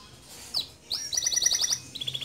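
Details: Male canary in lively gacor song with rolling ngerol and sharp nembak notes; after a quiet start, a quick run of high, evenly spaced chips rises into brief trilled phrases.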